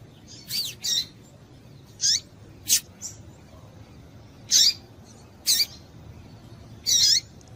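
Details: Female double-collared seedeater giving calls meant to excite males kept for singing tournaments: brief high chips and squeaky notes, some doubled, arriving at irregular intervals of one to two seconds against a quiet background hum.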